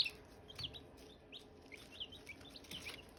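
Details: Young Silkie chickens around hatching eggs, peeping in short high chirps, scattered and overlapping, each a quick upward or downward flick, against a faint steady hum.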